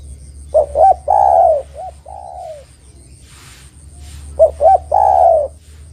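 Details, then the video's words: Terkukur, the spotted dove, in full song for luring and training birds: two hooked coos lead into a long, slowly falling coo. Extra short notes follow, then the whole phrase repeats. "Suara Burung Terkukur Gacor Paling Top Untuk Pancingan & Pikat"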